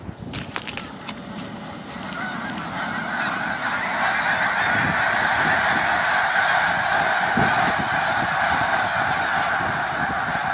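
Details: A large flock of snow geese being chased off a field gives a dense chorus of high, nasal honks, swelling into a continuous roar after the first few seconds, with low rumbling underneath.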